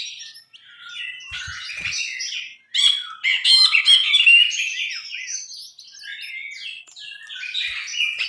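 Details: Bulbul (brinji) tutor recording for songbird training: a long, busy stream of scratchy chattering, squeaks and short whistled slurs, louder in the middle, with a few faint taps.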